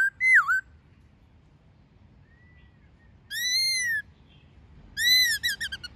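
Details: Laughingthrush singing in wild style with a female, for training captive birds: a swooping whistle, a faint level note, a long clear arched whistle, then a bright whistle breaking into quick staccato notes.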